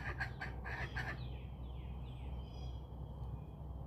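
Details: Backyard chickens in a quiet outdoor setting: four rough, evenly spaced clucks in the first second, followed by thin descending whistles of wild birds and a constant low hum.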